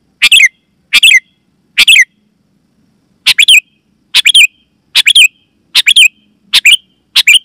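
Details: Loud, clear calls of a sooty-headed bulbul, meant to draw wild bulbuls and set caged bulbuls singing: about nine abrupt chattery phrases, a few doubled, coming roughly once a second after a short pause.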